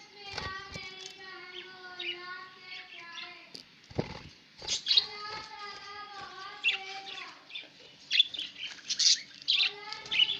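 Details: Pet budgerigars, 11 October 2016: chattering warble of steady tonal notes stacked in harmonics, broken by sharp clicks and bursts of high squeaky chirps that grow busier toward the end.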